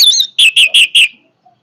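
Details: Orange-headed thrush giving a brief powerful song fragment: a high slurred whistle followed by four evenly spaced, sharp, chirping notes.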